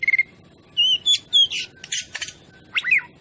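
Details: Oriental magpie-robin song used as a lure to provoke other birds: separate clear whistled notes near 2–4k and short buzzy bursts, with gaps between phrases.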